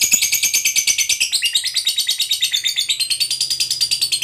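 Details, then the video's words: Lovebird, fighter type, in a continuous ngekek panjang, a long shrill trill of rapid chattering notes at about six per second, even in pace, used to stir other lovebirds to sing. "Suara Lovebird Ngekek Panjang Ini AMPUH Buat Pancing Emosi Labet"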